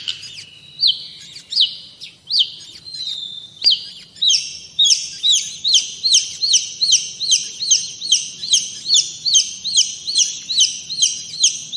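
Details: Long-tailed shrike, known as cendet or pentet, giving energetic tutor song: several drawn, slurred whistles, then a long rhythmic series of paired, sweeping, high notes, about three per second.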